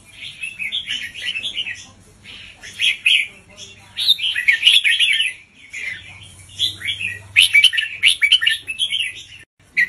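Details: Caged red-whiskered bulbul used as a song tutor for young birds, repeating slow, evenly spaced doubled phrases; lively warbled bursts about every two seconds, with faint low hum in the background.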